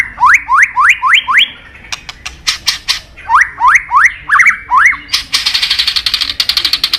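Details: White-rumped shama, a bird sought after by songbird hobbyists, gives a series of rising whistled upslurs about four per second, sharp clicks between, ending in a dense buzzy rattle.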